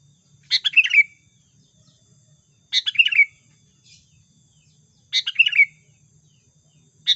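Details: Trapping lure recording of a sooty-headed bulbul: a short gurgling phrase of rapid chirps ending in a downslurred whistle, repeated three times about every two and a half seconds, with near silence between phrases.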